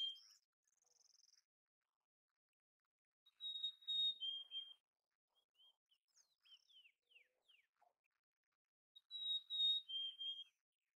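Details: Mountain chickadee singing with clean whistled phrases, each a higher note sliding down to a lower sustained one. The phrase is given twice about six seconds apart, with soft high chips and twitters between, in an otherwise quiet setting.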